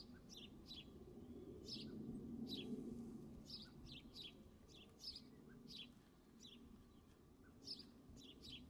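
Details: A captive-bred young male golden eagle being imprinted and trained for falconry. Thin, high, downslurred chirps repeat steadily, about three or four each second, over a low background hum.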